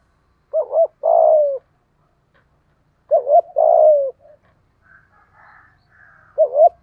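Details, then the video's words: Spotted dove decoy bird in the 'thổ' voice style, used to lure wild doves: three phrases of a short double coo followed by a longer, falling, hoarse coo, low and mellow, with a faint higher twittering in between. "Tiếng chim cu gáy kích bổi nhanh nổi hiệu quả - Chim Cu Mồi"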